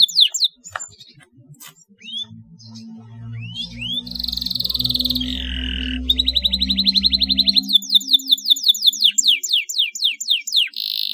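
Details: Canary singing, played as a lure to get canaries singing: scattered sharp chips and upslurred notes, then long fast buzzy trills and rapid repeated sweeping notes, over a steady low droning hum.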